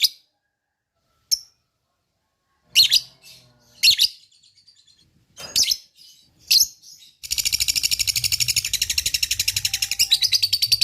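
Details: Lovebird lure sound to get rival lovebirds calling back: scattered harsh, shrill squawks, then a sustained fast rattling ngekek chatter from the seventh second on.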